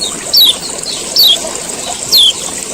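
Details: Male common iora giving its ciak ciak call, used to prompt other ioras to sing: three sharp, high downslurred chips spaced under a second apart over a steady high-pitched hiss.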